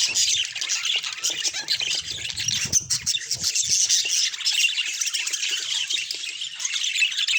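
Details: Budgerigars in a natural recording: a dense, continuous flock chatter of high warbling, chirping and squawky notes from many birds at once, with a few soft low thumps near the middle.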